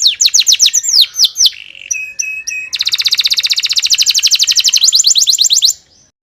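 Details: Canary song for training caged birds at home to sing: fast descending whistled sweeps, a brief buzzy pause, then a long, dense, evenly repeated trill of rapid high notes that stops abruptly. No other sounds.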